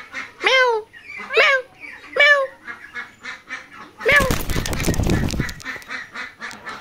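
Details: Talking rose-ringed parakeet, a pet bird in Bangladesh: three loud, harsh, harmonic calls, each sweeping up then down, about one per second, followed by a burst of broadband rustling noise and softer chatter.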